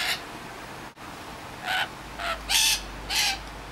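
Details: Wild rainbow lorikeets visiting a suburb of Sydney, Australia, in the afternoon: harsh, broadband screeching bursts, one brief at the start, then four louder rasping squawks spaced about half a second apart.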